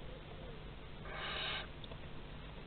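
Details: Barn owl pair at a nest box in Théding, France, on 30 August 2020: one breathy, harsh hissing screech lasting about half a second amid steady low background hum.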